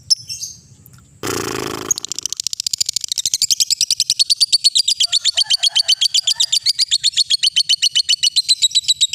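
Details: Lovebird ngekek song used to train young and adult lovebirds. A few thin chirps and a short burst of rushing noise come first, then a long, sustained, high, rapid rattling trill of evenly repeated notes.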